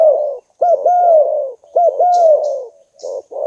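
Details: Spotted dove cooing: low, mellow, hoarse coos, each opening with a short rising-falling hook and then a drawn-out descending note, repeated about once a second.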